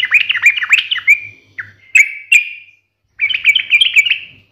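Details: Yellow-vented bulbul singing in the sharp 'ngalas' style meant to draw a quick reply from other bulbuls: a rapid chattering phrase, a few lone clicked chirps, a pause, then another bright bubbling run.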